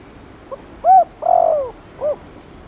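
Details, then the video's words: Spotted dove cooing in the Thổ Đồng style, used to stimulate other doves to coo: a soft short note, a brief arched coo, a longer coo sliding downward, then a short closing note, in a single low phrase. "Cu gáy Thổ Đồng kích bổi nhanh nổi/Chim cu gáy Chiêu + Gù kích bổi ức chế mau gáy/Kích là gáy ngay"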